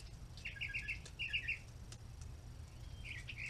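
A Red-bellied woodpecker gives short bursts of quick, rolling chattered notes, three or four at a time, over a low steady rumble.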